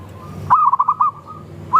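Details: Local zebra dove song used as a lure: a sudden stuttering phrase of short pulsed coos, then a fading drawn coo and the start of another phrase.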